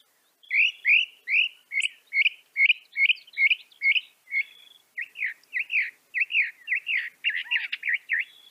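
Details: Northern mockingbird song from North America: rapid strings of repeated chirpy, slurred syllables, one phrase type repeated several times before switching to another, ending in a quick buzzy jumble.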